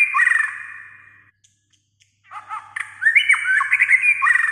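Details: White-rumped shama that sings all day: a rich warbled phrase fades out, then after a pause come chattering notes and fluttering whistled trills, over a steady low electrical hum.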